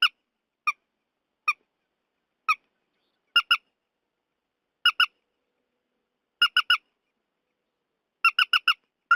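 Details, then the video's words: Trích ré, or purple swamphen, a lure recording for night bird netting: single nasal squawks at first, building to doubled and tripled bursts near the end, no background noise. "Tiếng chim Trích Ré"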